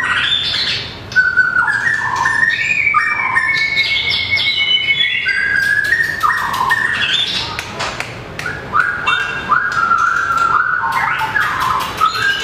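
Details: White-rumped shama, a small bird with a long tail, in competition song while flicking its tail on the perch: extended varied phrases of pure whistles, rising and falling slurs and quick clicking notes.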